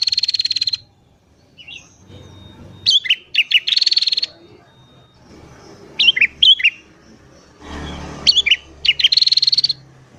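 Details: A sooty-headed bulbul singing in the morning, used to lure wild bulbuls: buzzy chattering bursts alternate with short, liquid, warbled phrases, with pauses of one to two seconds between groups.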